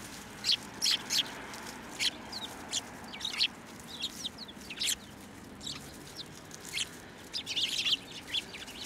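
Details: At a Tenmangu shrine on 9 December 2023, Eurasian tree sparrows come to a hand to be fed, giving scattered short, high chirps, some doubled, with quiet gaps between.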